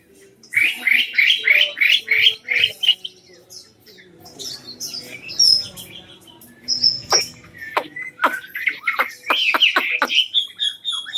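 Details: Caged Chinese hwamei from Cao Bằng, Vietnam, tame and in full song: a run of loud rising-falling whistled notes repeated about three times a second, then a pause and sharp varied chips and slurred whistles.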